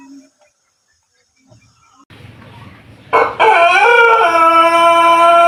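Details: Pelung chicken from Cianjur, West Java, an Indonesian breed known for its long, melodious crow: quiet with soft murmurs at first, then a loud crow bursts in, wavers upward and settles into a steady, rich, sustained tone.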